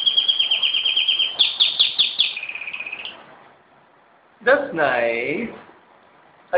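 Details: Pet canary at home in Jeddah, September 2008, singing a fast series of repeated high chirped notes slowing into a trill, followed by a person's voice talking.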